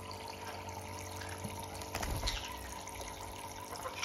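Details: Running water from a tap fills a basin with a steady splashing hiss, and no animal voices stand out.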